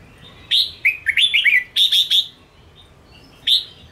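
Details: Song of a Ché red-whiskered bulbul, played to stir up and train caged bulbuls. A clear whistle opens, then a run of rolling, slurred warbles and three rapid bright chirps, then silence before a final whistled note.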